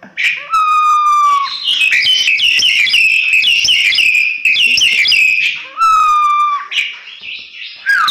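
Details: Crested myna in a training recording meant to teach other songbirds, singing energetically: a long steady whistle, then a dense run of buzzy, varied chattering notes, then another long whistle.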